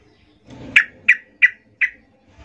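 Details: Female yellow-vented bulbul calling to males, a recording used to lure them: four sharp, harsh chip notes, evenly spaced about every third of a second, after a brief low rumble of background noise.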